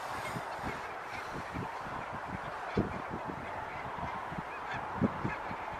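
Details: Huge foraging flock of barnacle geese in Zeeland, the Netherlands, recorded 8 February 2022: a dense, continuous babble of brief clipped calls from many birds, with a couple of clearer honks standing out.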